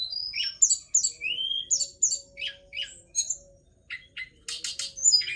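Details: Forktail song: a varied, rapid run of high whistled slurs, falling notes and short chirps, broken by brief pauses and a burst of buzzy notes near the end, over a faint low steady hum.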